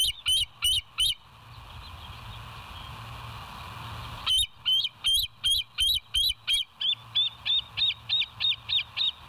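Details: Bald eagles on the West End live nest cam, morning of 07/09/2023 at 06:24; bursts of high, sharp piping notes in rapid series, about three per second, a short run, a pause, then a long steady chattering sequence over faint hiss.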